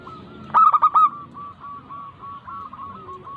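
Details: Local zebra dove singing in a lure recording meant to stimulate lazy doves to sing: one loud burst of four quick staccato coos, harmonics stacked above, over a faint continuous trilling cooing in the background.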